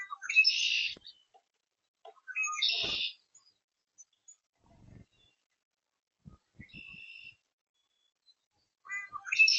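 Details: Oriole recorded on May 13, 2026, giving short, harsh, buzzy chatter bursts spaced a couple of seconds apart, with quiet gaps and faint knocks between them.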